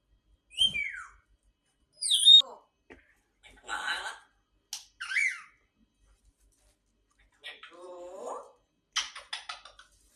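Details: Grey parrot giving a varied series of short sounds: sharp falling whistles, raspy buzzy bursts and a wavering lower call, each under a second long and separated by brief silences.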